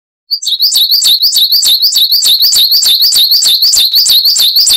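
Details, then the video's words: High-pitched coal tit song in the wucit-wucit style, used to train cage birds, delivered as one unbroken run of fast, evenly repeated bright two-note phrases for over four seconds. "Masteran Burung Gelatik Wucit Panjang Ngalas - Coal Tit"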